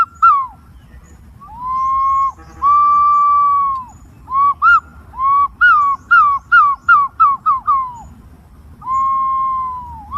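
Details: Green pigeon calling: long, clear, level whistles that swell and dip slightly, followed by a quick run of short whistled notes and one more drawn-out whistle at the end, over a faint low rumble.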